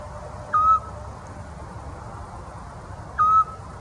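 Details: Eurasian scops owl in the Czech Republic in July 2023, giving two short, pure, slightly rising whistled notes about two and a half seconds apart, with a faint low rumble behind.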